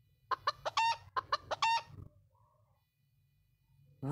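A chicken gives two quick runs of clucks, each ending in a longer, drawn-out cluck.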